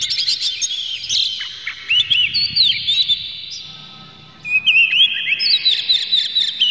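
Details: Emotional, tail-spreading Oriental magpie-robin delivering a lure song meant to set other magpie-robins singing: sweet slurred whistles and clipped chips, a brief quieter gap midway, then loud varied phrases resume.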